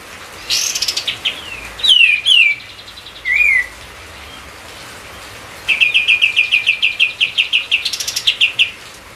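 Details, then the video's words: A white-eye sings a lively lure song for other songbirds. A bright rising-falling burst comes first, then three clipped descending whistles, a quiet gap, and a long rapid run of repeated high chips. "emosi buat pancingan.burung katem kapas tembak gacor"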